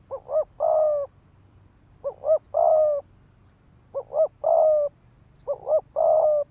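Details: Spotted dove used as a decoy, calling in quick 'thúc gù' phrases to stir males to fight. Four even phrases, each two short pulsing notes and a long mellow coo, come roughly every one and a half seconds.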